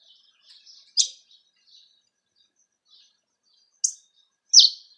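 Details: Campina-style song of a cravina from Rio Grande do Norte, Brazil: soft high warbled bits broken by a few loud, sharp chip notes and long pauses.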